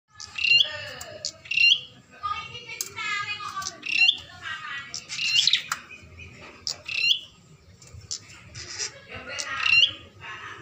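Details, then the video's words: A bar-winged prinia given a mirror to prompt it to sing gives loud, high, sharp chirps and harsh scratchy phrases every second or so, with rapid buzzy trills between. "Burung Ciblek Cepat Berbunyi"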